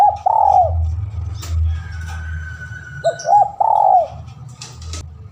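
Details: Spotted dove calling to a rival, a lure recording: loud arched coos in two close phrases, a pause, then another phrase, backed by constant low-pitched hum and a few soft high ticks.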